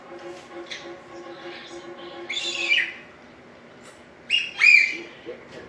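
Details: Young African grey parrot, ten months old, practising sounds as it tries to talk: soft scattered chirps, then a harsher squawk and two sharp whistled notes near the end.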